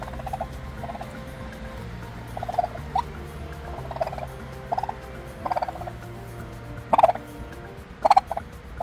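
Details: Korean turkeys with chicks hatching naturally: brief buzzy calls popping up roughly once a second, a few sharper louder notes near the end, all over a constant low mechanical hum.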